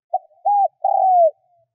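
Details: Cooing spotted dove, sound used to lure wild birds: a short opening note, a level coo and a long descending coo, mellow and low-pitched, heard clearly against silence.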